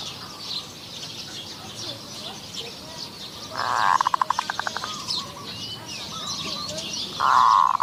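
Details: Zebra dove cooing during decoy luring of wild doves at Wapi Pathum, Maha Sarakham, Thailand: one burry coo breaking into a rapid run of clipped notes, then a second rolling coo starts near the end, over a constant insect drone.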